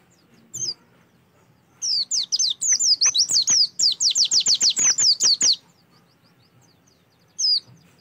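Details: Song of an Oriental white-eye, used as a prompt to get a kept bird singing: an isolated high whistle, then a fast burst of roughly twenty crisp downslurred notes, ending with one more lone whistle.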